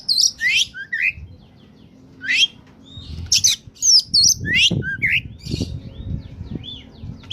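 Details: Oriental magpie-robin (kacer) in top form, sung to lure wild birds: scattered sharp chirps and whistled slurs with gaps, over thumping low-pitched knocks and background noise.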